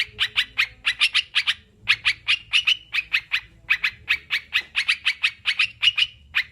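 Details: Sooty-headed bulbul, played to help kept birds sing and feel less stressed: dense runs of quick clipped chirps with short breaks between groups.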